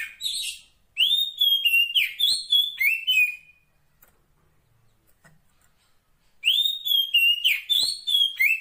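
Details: Oriental magpie-robin female calling to the male, bright whistled phrases of quick, looping and slurred notes in two bursts separated by several seconds of near silence.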